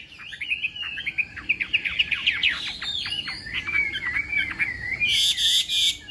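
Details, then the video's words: Chinese hwamei in a morning singing contest session: fast chattering trills and sharp downstrokes lead into a smooth wavering whistle, ending under a burst of broadband rustling. "Hoạ Mi Hót Đấu /hoạ mi hót sáng luyện giọng kich bổi sổ giọng chim hót hay mỗi ngày/"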